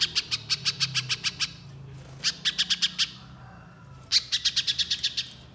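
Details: Lure song of the Little spiderhunter: three rapid bursts of sharp, high-pitched chips, each lasting about a second, separated by short pauses.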